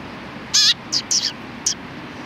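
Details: Sparrows recorded 31 October 2019 trading high, clipped chirps. One longer, rasping note is followed by two quick tweets and a final short chirp, with soft background hiss.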